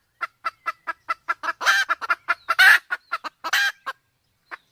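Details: Male and female junglefowl from Sumatra, the female in heat, recorded for luring birds: short clucks repeated about once a second, broken by several louder harsh, rasping bursts, then a pause and two final clucks.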